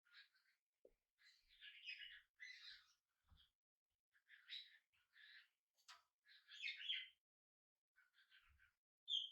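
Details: Tame pet budgerigar, hand-reared and newly brought home, chatters in scratchy, buzzy warbles strung into uneven bursts, with brief gaps and an occasional click.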